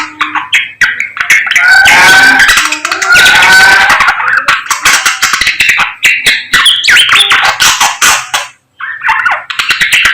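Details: Samyong bird singing energetically in the morning: a dense run of sharp clicks, chattering notes and bright whistled phrases, some harsh and buzzy, with brief pauses between bursts.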